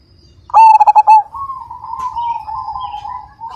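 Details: Zebra dove of the Majapahit type, described as a big-voiced, frequent singer: one loud burst of about six quick, throaty coo pulses, followed by a soft continuous cooing murmur from other doves.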